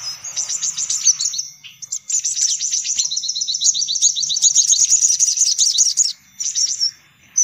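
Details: Lure recording for sunbirds: a high trill, a short pause, then about four seconds of rapid, evenly pulsed chattering notes, ending with a brief final burst.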